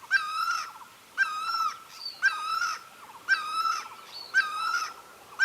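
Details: Great barbet seeking a partner: five loud, evenly timed calls with a clipped start and drawn-out harmonic tone, plus brief thin higher notes slipped between them.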